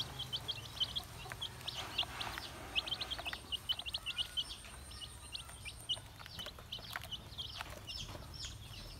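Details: Baby chicks feeding: a busy stream of short, high, thin peeps from several chicks, closely repeated with overlapping notes and no pauses, over a faint steady low hum.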